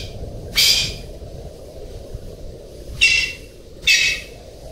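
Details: Golden pheasant calling: three harsh, raspy bursts, one alone, then after a gap of over two seconds a quick pair under a second apart, over a steady low background rumble.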